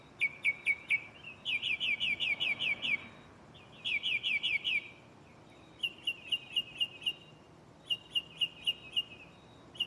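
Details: Shuffling song of a mockingbird at night in a nearby tree: repeated sets of sharp chirps and rapid trilled bursts, each phrase type given several times before switching, with short silent gaps.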